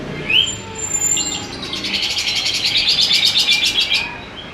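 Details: Grey-cheeked bulbul singing vigorously, its song filled with imitations of sparrows and lovebirds. A short whistled upslur opens, then a dense, high, buzzy chatter of rapidly repeated notes runs for about three seconds.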